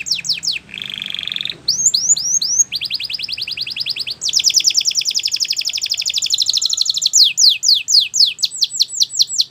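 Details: Belgian canary singing as a tutor for young canaries: a loud, varied song of high rapid trills, buzzy rolls and repeated sweeping notes, each section changing every second or two.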